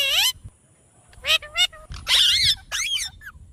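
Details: Parrot's original voice in high-pitched, speech-like phrases: short harmonic bursts with wavering, warbled tones, several separate utterances over about three seconds, and faint low background noise.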